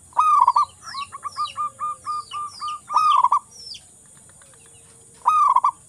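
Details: Local zebra dove in song, used to get silent doves singing: rolled coo phrase, a run of short evenly spaced coos, another rolled phrase, a pause, then a final roll; steady hiss.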